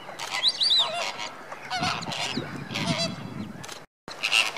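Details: Slimbridge greater flamingo flock, January 2016, stirring before bedtime: a babble of nasal honking calls from many birds, some short high squeals, and a brief silent gap near the end.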